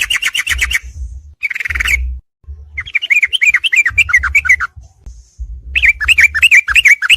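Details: Yellow-vented bulbul, from a combined training recording played at night to make songbirds more combative: bursts of rapid chattering notes, bubbly and rising and falling, alternating with harsh rasping bursts and low thumps, with short silent gaps.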